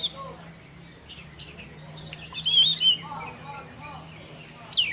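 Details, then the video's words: Orange-headed thrush 'teler' song meant to lure other thrushes into singing; soft, scattered notes give way midway to a loud burst of sweeping whistles and chips, then quieter high, thin phrases. "Pancingan Burung Anis Merah Tarantula Anis Merah Teler untuk penggoda anis lain agar ikut teler"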